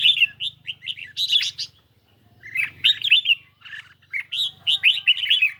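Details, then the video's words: Singing duel between a caged red-whiskered bulbul and a phone recording, lightly sunny day; lively clusters of sweet, slurred whistles in quick phrases, split by a short silence near the middle. "Chim Chào Mào Của A Tủa Hót Đấu Với Điện Thoại Cực Xung."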